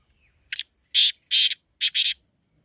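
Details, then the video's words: Black francolin, heard in a call used to make caged birds call: a short sharp note, two evenly spaced rasping notes, then a tight double note, each harsh and broadband, in a quiet background. "تیتر کی بولیاں - کالا تیتر بلانے کا طریقہBlack Teetar Voice"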